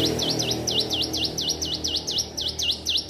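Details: Learning to sing, a hill prinia repeats loud, clear dipping whistles about three times per second, each note a quick down-and-up swoop, with faint low background noise.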